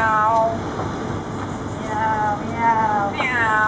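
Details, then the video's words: Talking bird kept beside a cage near a pharmacy in Pattaya, Thailand, known to say hello and meow almost like a cat; harmonic, cat-like wailing notes near the start, middle and end, the last sweeping up then down, over soft background murmur. "Говорящая птица"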